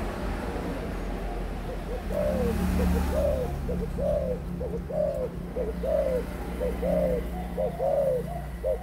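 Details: Eighteen-month-old adult spotted dove producing evenly spaced coo pairs, a clipped note then a longer arched coo, roughly once a second, slightly distant, against low rumbling background noise.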